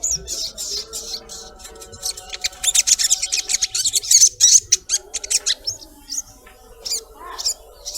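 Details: Collared kingfisher female calling for a male, with dense, rapid bursts of harsh, rasping high notes building into a loud chattering stretch midway, then thinning to spaced calls near the end.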